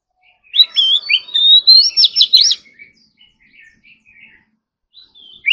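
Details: During morning practice, an Oriental magpie-robin pours out a lively burst of swooping, whistled phrases and trills in competitive full-fill style, then drops to soft, scattered twitters before one more loud note.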